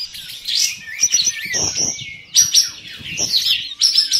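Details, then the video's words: Kapas tembak bulbuls in a bird singing contest, a duel of four winning birds in an online competition, session one: bright, rapid chirped and whistled phrases in quick bursts, with low knocking sounds underneath. "DUEL 4 PEMENANG KAPAS TEMBAK ONLINE SESI 1"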